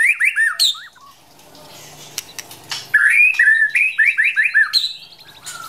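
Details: Wild white-rumped shama, a female prompting the male to practise his singing: bright whistled phrases with rising and falling slurs, a brief pause, then a fast run of repeated looping whistles.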